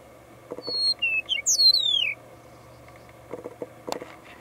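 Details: Meadowlark in central Florida on 24 March 2020 gives one bright, fluty song of about six clear whistled notes, sliding downward at the end, over a steady low hum and a few soft knocks.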